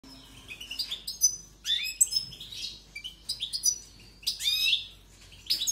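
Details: European goldfinch singing with great strength: bursts of bright, high twittering notes and short buzzy trills, separated by brief pauses.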